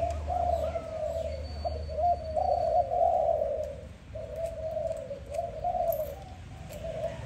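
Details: A dove coos in the morning, deep smooth notes in several drawn-out phrases separated by brief pauses; a thin high whine and low rumble sit underneath.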